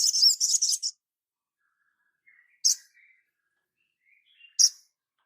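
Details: Crimson sunbird master recording for training: a brief rapid burst of high twittering notes, then two lone sharp high chirps about two seconds apart, with faint soft notes between and silence otherwise.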